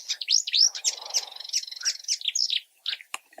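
Marsh warbler song: a fast, varied jumble of high chirps, rising whistles and buzzy trills, notes tumbling several per second with quick changes of phrase.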